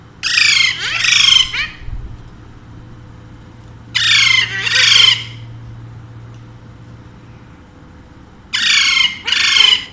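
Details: Pet Alexandrine parakeet delivers three bursts of doubled, harsh squawks, each pair separated by several seconds of low hum and quiet room sound.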